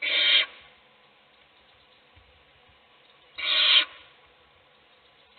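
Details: Harsh rasping hisses from owls as a chick is fed while its siblings sleep: two loud, even bursts about three seconds apart, with a third beginning at the very end.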